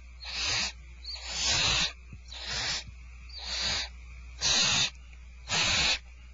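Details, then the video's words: Barn owls at Starr Ranch at feeding time, recorded 2/1/12, giving six harsh, breathy hissing screeches, each lasting about half a second to a second, one after another at roughly one per second, over a low steady hum. "Starr Ranch Barn Owls Dinner is served 2/1/12"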